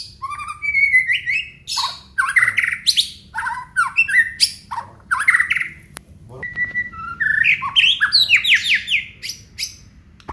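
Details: Varied song of an Aceh white-rumped shama: rapid mixed phrases of whistles, harsh chatters and sliding notes in quick succession, with short pauses, over a steady low hum.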